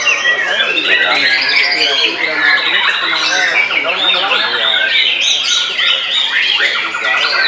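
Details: Post-moult white-rumped shama in a frenzied singing bout against a rival bird: rapid, varied stream of rich warbles, trills and squeaky whistles, loud and unbroken for the whole stretch, with overlapping chatter.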